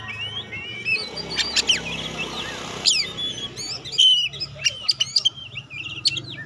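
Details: Oriental magpie-robin called kacer pastol, heard as a test bird for other magpie-robins. Bright whistled slurs and sharp clicks come in irregular bursts about once a second against a noisy, rumbling background.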